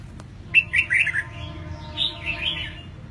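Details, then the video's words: Young caged red-whiskered bulbul, eight months old and newly moulted, delivering a liquid, chattering warble of quick descending notes followed by a softer, lilting second phrase. "Chim Chào Mào Hót, Em nó mới 8 tháng lồng vừa xong lông sổ giọng cực hay"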